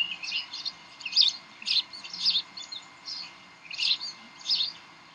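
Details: Bald eagles at Decorah during evening play and tug of war on the nest, 18 May 2012 near 7:45 pm; sharp, piercing chirps in seven or eight distinct bursts, roughly one every half second, over soft hiss.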